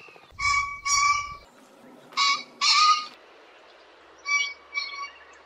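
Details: Common pheasant call: two loud grating, honking bursts over a low whirring flutter, two more harsh bursts a second later, then two fainter nasal notes after a pause.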